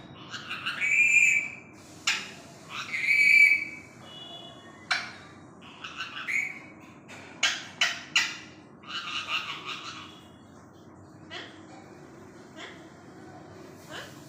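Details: Talking parrot kept as a pet, repeating "Md wali": two strong whistled speech-like phrases open, followed by a run of short clicks and scratchy syllables, with a person's voice urging it to say the name.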